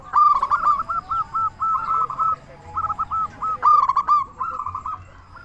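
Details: Zebra dove, a local bird with a big voice, singing to provoke replies from other doves; several bursts of fast, bubbling coos separated by brief pauses, with sharp clipped bursts.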